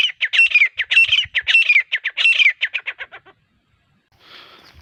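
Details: Rapid series of harsh, grating notes from a female grey francolin, used as a hunting lure. The notes come in a steady rhythm, then fade out, followed by a faint hiss.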